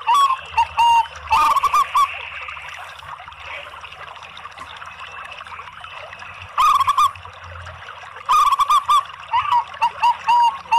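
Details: Zebra dove song from local and Bangkok birds used as a lure: scattered short trilled coo phrases with long quiet gaps, growing busier toward the end with clear single coos.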